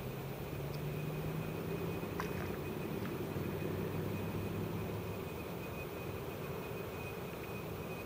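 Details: Steady low engine rumble with a faint continuous high hum and no animal calls.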